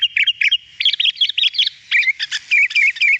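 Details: Lively sooty-headed bulbul singing clearly, as a training recording for songbirds: rapid chattering notes grading into a series of short, slurred, falling whistled phrases.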